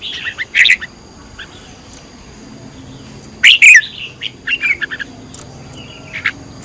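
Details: Decoy-trained red-whiskered bulbul in căng lửa style: a loud chirping burst early, another strong warbled phrase near the middle, then a string of shorter quick chirps and a final brief note.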